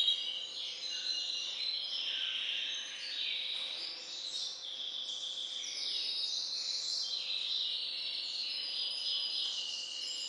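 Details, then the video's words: A captive hybrid finch with Balkan goldfinch (C. c. balcanica) parentage pours out a dense, rapid stream of high twitters, slurs and buzzy notes for ten seconds without a break, with a soft steady hum behind. "Śpiew bastarda po C.c. Balcanika III"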